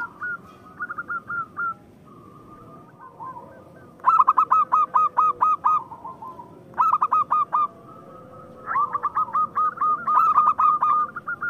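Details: Local zebra dove song, used to provoke rivals and lazy birds into singing: bright clipped coos in rapid bursts of six to eight notes, alternating with softer rolling trilled phrases and faint steady hums.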